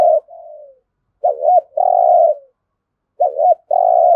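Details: Spotted dove from Đồng Nai, Vietnam, giving competition-style cooing: a soft falling note, then twice a bumpy two-part coo leading into a long, even, low coo, with clear pauses between phrases.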